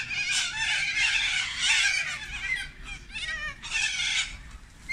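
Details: Large flock of sulphur-crested cockatoos feeding on gum blossoms in the afternoon; harsh, raspy screeches in overlapping bursts, loudest in the first half, with a brief lull before another loud screech near the end.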